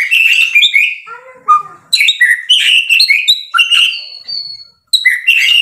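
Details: Energetic song of a White-rumped shama as a tutor recording: bright whistled phrases alternating with a few lower downward slurs, then a long thin whistle, brief silence, and another burst of chattering notes.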